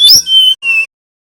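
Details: Short nyiul fragment from a Bali brown-chested jungle flycatcher, used as a lure for young birds: a high rising chirp leading into two sustained clear whistles at steady pitch.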